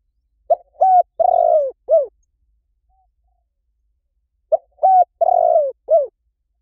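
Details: Repeated spotted dove coo phrase from a decoy recording: two identical soft, low phrases four seconds apart, each built from a clipped opening note, a level hoot, a drawn-out falling coo and a closing downward coo; no other sounds.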